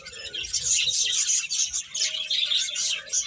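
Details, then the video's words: Lively high chirping from several birds, with quick tweets and a few thin whistled notes layered over each other, plus a faint lower murmur. "Cute Birds Chirping Sounds"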